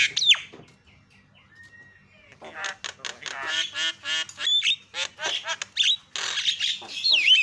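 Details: Javan myna calling to provoke other mynas: a sharp opening note, a thin level whistle, then a long run of rapid harsh rattling squawks and chattering notes with whistled slurs near the end.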